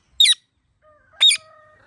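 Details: Two short, piercing, screechy chirps from a ringneck parrot, about one second apart, with soft faint whistles in the background.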